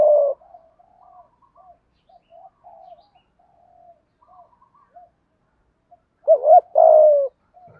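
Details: Spotted dove calling in the 'thổ pha đồng' style to attract other doves. One loud coo opens, quiet low murmurs follow, then a clear two-part phrase: a short upturned note and a longer falling hoot.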